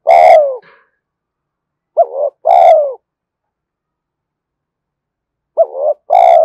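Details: A spotted dove coos for training decoy birds and prompting them to call. There are paired phrases, each a short rising hoot followed by a louder, longer, slightly falling coo, separated by long silent gaps. Sharp clicks mark some onsets.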